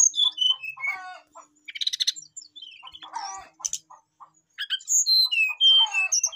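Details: Whistled rival-calling song of a Brown-chested jungle flycatcher, rich in varied phrases: falling whistled notes stepping down, rough buzzy bursts, short pauses, then bright high whistles returning.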